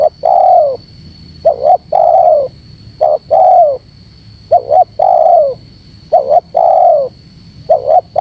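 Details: Spotted dove calling to attract birds: around six phrases in a row. Each phrase is a brief two-note stutter followed by a sustained, gently falling coo, with a constant thin high hum behind.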